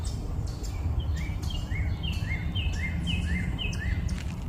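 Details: Birds chirping early in the morning: a repeated two-note phrase, a short high note followed by a lower arched whistle, given about every half second over steady low rumbling background noise.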